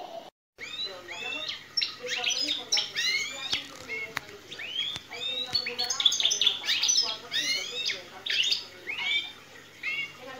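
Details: Captive-bred canary singing a goldfinch-style song: rapid varied twittering, buzzy rising and falling trills and sharp chirps in quick bursts, high-pitched and continuous with brief pauses.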